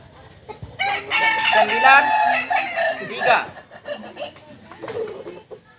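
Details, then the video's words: A native Kokok Balenggek chicken of Solok, West Sumatra (jalak and biriang types) crows in a rough, broad burst lasting about two seconds. Quieter clucks and background noise follow. "Ayam kukuak balenggek"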